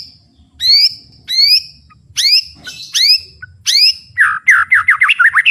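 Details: Murai batu, the white-rumped shama, in powerful full-volume song with fighting spirit. Loud rising sweeping whistles repeat several times, then break into rapid, varied chattering notes.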